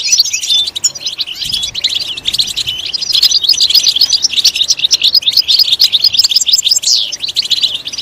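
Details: European goldfinch song: a sustained, energetic stream of sharp chirps, rippling trills and the occasional sweeping whistle, loud and continuous throughout.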